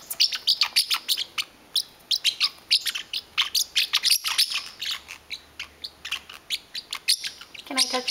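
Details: Pet parrotlet, territorial over his blanket, angrily fires off sharp, high chirps, about three a second in uneven bursts, as the owner tries to touch the blanket; a person talks softly in the background.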